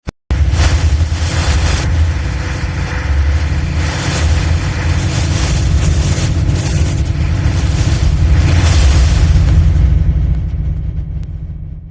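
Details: Loud, continuous booming, rumbling noise with deep pulsing thuds and no animal calls.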